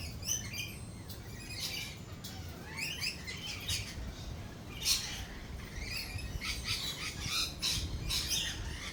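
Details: Lorikeets calling during rolling thunder and lightning: scattered bursts of harsh, high screeches over a steady low rumble.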